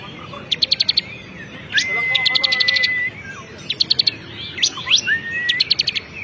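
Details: Bar-winged prinia, a prize-winning singer, in full voice: bursts of rapid staccato pips alternate with long flat whistles and chattering phrases, then short rising slurs and another quick pip series, with faint hiss behind.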